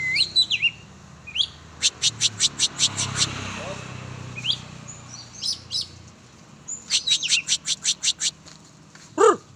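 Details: Oriental magpie-robin during a training session: bursts of sharp, evenly repeated high chips, about four per second, mixed with short whistled phrases, with faint speech-like sounds and background noise.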